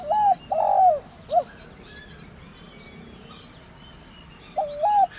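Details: Thổ đồng calling of a spotted dove, a field and village bird, used to excite decoy doves. A phrase of a long quavering coo and a short final note, a long gap with faint chirps, then a fresh phrase opening.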